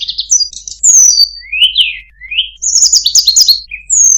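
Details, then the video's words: Tledekan gunung in very melodious song: piercing high whistles, quick rising slurs and a dense buzzy warble, the phrases running on without break, with only a faint low background hum. "suara burung tledekan gunung, sangat merdu cengkok bagus"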